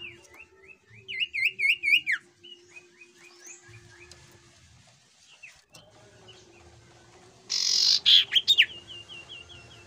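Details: Jungle flycatcher song used as a lure to draw other birds into singing: a run of quick wavering whistles, a higher series of looping notes, then a harsh buzzy burst followed by even piping notes.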